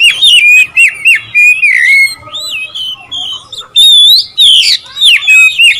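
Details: Oriental magpie-robin singing to provoke rival birds: loud, varied whistled phrases with rising and falling slurs and sharp buzzy notes in short bursts separated by brief pauses.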